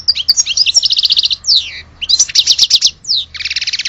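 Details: Goldfinch from Algeria singing bright, quick trills of evenly spaced notes, broken by falling slurred whistles, then another rapid rattling run, all high-pitched and close.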